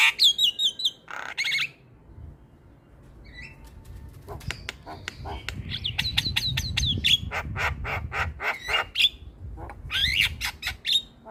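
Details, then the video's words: Starling song intended to lure other starlings and get lazy singers calling: opening rapid whistles and a harsh burst, a lull, then a long busy stretch of clicks, squeaks and whistled phrases over low background rumble. "Pancingan Segala Jenis Burung Jalak - Jalak Malas Bunyi / Jalak Pikatan Auto Nyaut"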